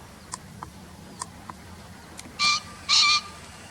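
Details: A field-guide recording of a green pheasant gives a pair of loud, raspy, ringing blasts in quick succession near the end, preceded by soft scattered ticks and a quiet background.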